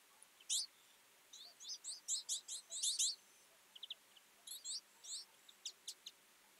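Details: Twites feeding together in winter, a flock trading sharp high twittering chirps in short overlapping bursts, some notes doubled, with brief pauses between clusters over a quiet background.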